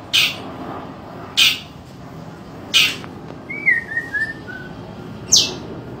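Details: White-rumped shama, a Medan-type bird in fighting form, giving loud, harsh bursts about every second or two, with a falling run of clear whistles in between; background otherwise quiet.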